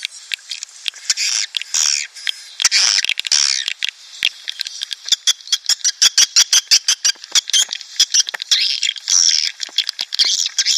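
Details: Swiftlet lure call played to attract swiftlet colonies to a nest house: dense high buzzy chattering with rapid clicking rattles repeated in quick bursts.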